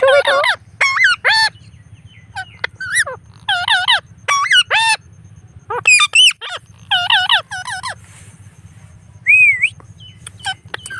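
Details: Pet blue Indian Ringneck parrot, out on an evening walk, repeats short throaty, speech-like phrases in bursts about every second, then ends with one rising whistle; constant low electrical-sounding hum beneath.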